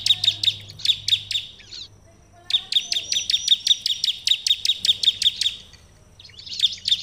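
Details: Bar-winged Prinia singing in bursts of high, sharp, rapidly repeated chirps broken by short pauses, over a faint low hum; a bird in full song, used to make other prinias answer.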